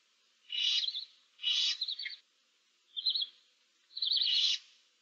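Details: Nestling barn owls in a nest box, seven chicks, March 2024, give four hoarse hissing calls roughly a second apart, several ending in a quavering, warbled trill.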